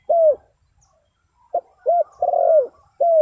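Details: Spotted dove call used as a lure to draw wild birds: low, hollow coos, one drawn-out note, then a short hoot, a rounded coo, a longer throaty coo and a final coo, in a quiet setting.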